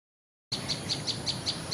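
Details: Common tailorbird (Orthotomus sutorius) at FMIPA UI, Indonesia, gives a quick series of sharp, high chipping notes, about five each second; tailorbirds answer each other with such chirping.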